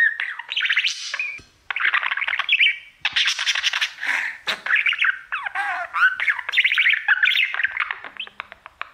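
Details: Mirror-directed singing by a male pet budgerigar, an almost unbroken stream of chattering warble mixing harsh rasps, clicks and looping whistled notes.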